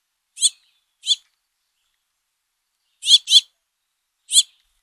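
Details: Begging house finch fledglings, at least four in the brood, fed by their father: short rasping high chips, single or doubled, scattered over five seconds with quiet gaps.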